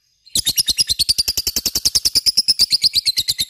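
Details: After a brief silence, a lovebird bursts into a high, rapid ngekek chatter of sharp buzzy chirps, steady and loud to the end.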